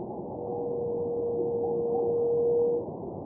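A buff-spotted flufftail gives one long, steady, low hoot of about two and a half seconds, like a distant foghorn, over a soft hiss of background noise.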